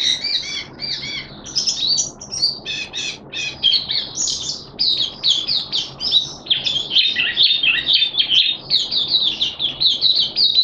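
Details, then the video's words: Oriental white-eye, Malaysian mata puteh hobby bird, singing happily in an open song display, February 2023: a dense, unbroken stream of high, rapid chirps and warbles that grows busier toward the end. "Malaysian Mata Puteh Happy Buka Sing"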